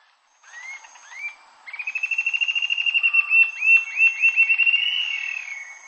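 Rufous-tailed jacamar song: a few high, upslurred whistles break into a fast, bright trill of sharp notes, then more rising whistled phrases. No other sounds are heard.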